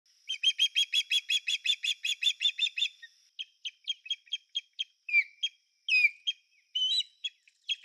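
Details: American osprey calling: a fast run of about fifteen sharp, high chirps over three seconds, then spaced chirps and several loud, down-slurred whistled cries. Background is quiet.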